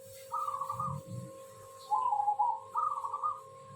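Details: Zebra dove in active song gives three rolling coos, the middle one lower and trilled. A steady hum and low thumps sound underneath.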